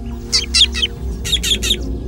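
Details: Drongo; alarm call; warning of a hunting eagle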